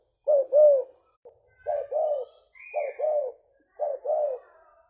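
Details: Spotted dove, a leopard-type lure bird, giving deep two-part coos, a short clipped note then a drawn-out one, four times; a faint thin whistle appears briefly between them.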